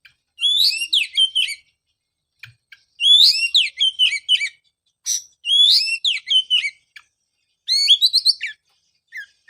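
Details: Oriental magpie-robin lure song for a bird that stopped singing after moulting: rich, rapid phrases of clear whistles and downslurred notes, each burst about a second long, repeated every two to three seconds.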